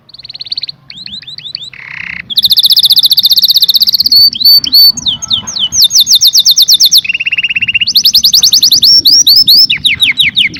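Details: Canary in full song, a long varied sequence of rapid trills, buzzy rolls and sweeping upslurred whistles, phrases changing every second or two, loud and continuous.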